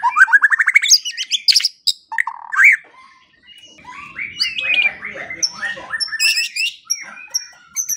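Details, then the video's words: White-rumped shama song for training songbirds at morning and evening: a fast rising trill of repeated notes, then a short gap and a long, busy stretch of mixed warbles ending in sharp high whistles. "Pancingan dan Masteran Pagi dan Sore Hari Murai Pendiam Langsung Ikut Bongkar Isian | shama bird"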